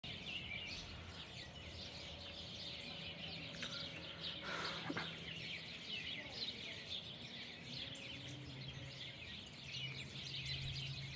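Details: Common swifts calling: many thin, shrill, buzzy screams overlap continuously over steady low background noise.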